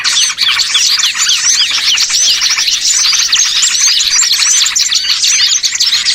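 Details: Many small birds heard as a lure for catching birds. A thick wall of bright, clipped chirps and rising flicked notes runs without a break, very loud and high-pitched.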